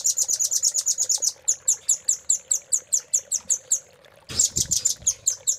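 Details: Velvet-fronted nuthatch (rambatan paruh merah) in a Cililin-style fill master song: fast runs of sharp, very high chips, a steady stream for over a second, then spaced notes, a pause and another loud burst of rapid chips.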